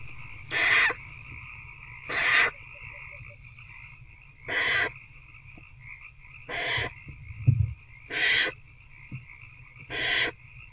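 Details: Feeding of an older barn owlet by an adult inside a nest box, 19 February 2024 between 9:02 and 9:17 pm; six rasping hisses repeated about every one and a half seconds, with continuous hum and a brief thump.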